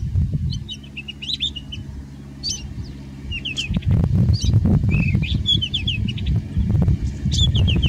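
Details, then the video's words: White-browed Scrub Robin singing in Kruger National Park, South Africa: short, high, sweet whistled phrases of quick repeated notes over heavy low rumbling wind or handling noise. "White-browed Scrub Robin Song"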